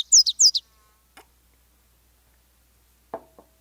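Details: A Nashville warbler (Leiothlypis ruficapilla) opens its song with two quick pairs of high, thin, down-slurred notes, cut short; a soft click and a dull knock follow.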